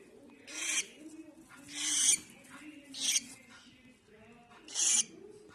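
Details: Baby cockatiel calling in four short, harsh, hissing rasps about a second apart, broad and noisy, over a quiet low hum.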